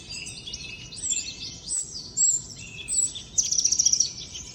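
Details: Trotol-style song of a wild common iora: a steady, very high twittering warble broken by short louder bursts, ending in a quick buzzy rattle of repeated notes.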